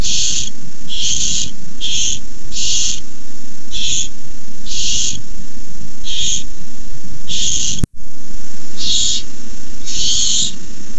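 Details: Barn owl chicks begging as a rat is delivered to the nest: repeated hoarse hissing screeches, short and irregular, with a brief dropout in the middle and low hum behind.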